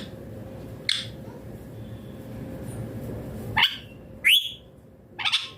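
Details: Rose-ringed parakeet giving a few sharp, high chirping calls spaced unevenly over several seconds, two close together near the end, over a steady low hum and quiet room noise.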